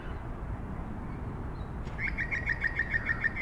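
A Grey butcherbird gives a quick run of about nine clear, mid-pitched notes over a steady low rumble of wind or distant traffic.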